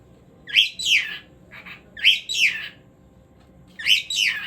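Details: Cockatiel giving three bursts of harsh, harmonic chirps, each a pair of rising-then-falling notes, spaced about one and a half seconds apart, with a quiet background.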